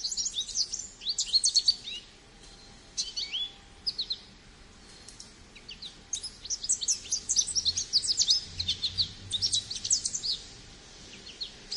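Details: An American goldfinch sings long runs of quick, high, canary-like twitters and whistled slurs, pausing briefly before resuming with a denser, livelier burst.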